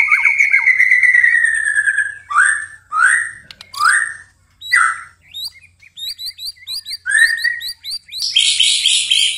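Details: White-rumped shama (murai batu) singing at night, gacor style: a long slurred whistle, then separate rich, upward-swept whistled phrases with pauses, short high chips, and a closing dense high burst.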